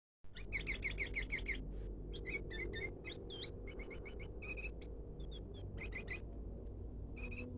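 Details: Sooty-headed bulbul giving a strange call: a lively jumble of sharp, high chirps and short whistled slurs, some rising and some falling, in quick irregular clusters over a loud, steady low hum.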